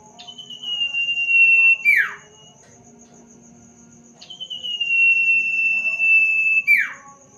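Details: Sirtu bird singing at night: long, loud, steady whistles about two seconds each, held level then dropping sharply at the end, two phrases roughly four seconds apart, over a faint constant high tone and low hum.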